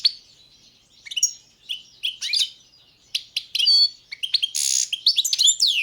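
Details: European goldfinch of the Balkan subspecies, Carduelis carduelis balcanica, singing in a 2022 world championship song competition: bright twittering phrases of sharp high chirps and trills in bursts, with brief pauses and one buzzy rasping note near the end.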